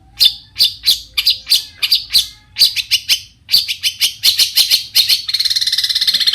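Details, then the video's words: Long-tailed shrike delivering a lively varied song that provokes other shrikes to answer: rapid harsh, scratchy chips in uneven bursts, closing with a fast buzzy rattle. "cendet gacor Variasi BIANGNYA bikin cendet lain emosi ikutan bunyi langsung NYAUT"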